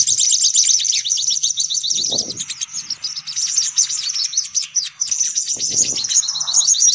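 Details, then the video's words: High, busy twittering of sunbirds, used to lure them in: rapid chirps in a continuous chattering stream, with brief low thuds now and then. "Suara Pikat Burung Kolibri Paling Manjur || Sogok Ontong Ribut"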